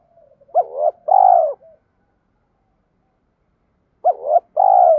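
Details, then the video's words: Spotted dove voice of the 'thúc' kind, meant to draw a response from wild doves. A clipped double note runs into a long, throaty coo, and the same phrase returns about three seconds later. "Giọng chim cu gáy THÚC rút bổi"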